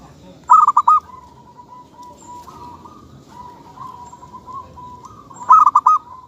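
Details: Local zebra dove (kutut lokal) cooing: two phrases of rapid rolling, trilled coos about five seconds apart, with a thin steady whistle-like tone and low background hiss in between.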